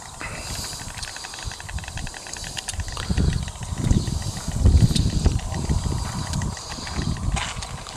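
A white stork clatters its bill in a fast, dry, wooden rattle of rapid clicks, over heavy low rumbling wind noise.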